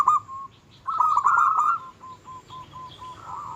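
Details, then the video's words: A local zebra dove in full voice, its song said to anger and arouse rival birds: a loud trilled cooing burst, then short, evenly spaced coos about four per second, closing with a rising rolled note. "Suara kutut lokal gacor yang bikin emosi lawan ahlinya menaikkan birahi lawan"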